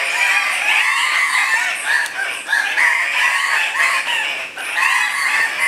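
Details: Male Andean cock-of-the-rocks in full display at a morning lek near Pacto Sumaco, Napo, Ecuador, 15 February 2015: a dense chorus of loud, harsh squawking calls overlapping continuously over a noisy forest background.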